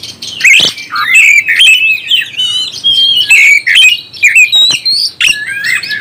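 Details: Oriental magpie-robin in full song to excite other magpie-robins; loud, sweet whistles slur between pitches in short phrases, joined by buzzy chirps and a sharp burst near the start.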